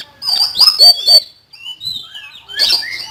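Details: Common iora singing loudly and continuously: shrill, sweeping chirps and slurred whistles in quick bursts, a short pause, then another burst of bright twittering notes.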